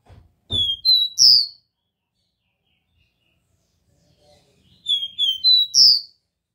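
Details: Pure Dó Ré Mi song of a copper seedeater, delivered twice with a long pause between: each phrase has three or four high, pure whistles stepping upward to a stronger final note, with soft low knocks in the background.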